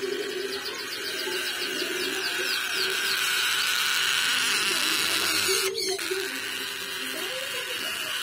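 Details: A baby cockatoo, 1.5 months old and described as very loud, gives rapid, raspy, high chirps about four times a second over a steady hiss, with one sharp click near the end.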